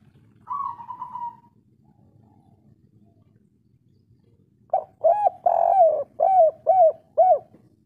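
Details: Local spotted dove of the kuk 3 variety, heard as a lure for breeding drive. A short quavering trill is followed by a pause, then a steady string of six deep, hollow coos.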